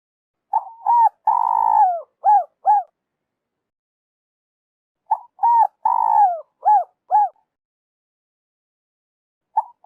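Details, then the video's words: Spotted dove calling, a recording meant for bird trappers: two phrases of mellow coos, each with quick short notes around one long sliding coo and closing short notes, separated by several seconds of silence. "Tiếng chim cu gáy dành cho ae đi bẫy"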